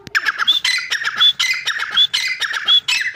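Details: Teetar, the grey francolin, gives a loud, scratchy run of harsh notes, each phrase about two-thirds of a second long and ending in a sharp high whistled glide, repeated steadily without pause.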